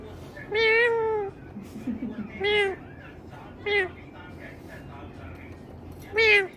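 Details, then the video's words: Talking parrot imitating a cat: four separate drawn-out meow-like calls with a rich harmonic stack, the first longest, spaced a couple of seconds apart, with faint murmuring between them. "cute talking parrot"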